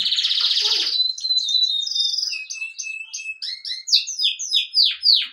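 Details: A bird singing a varied sequence: a fast buzzy trill, then clear whistled notes and a series of loud descending slurred chirps growing stronger toward the end.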